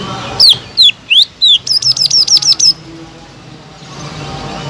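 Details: Loud caged greater green leafbird song meant to spark a quiet bird into calling: four sweeping whistles, then a rapid chatter of about eight short high notes, followed by faint background hiss.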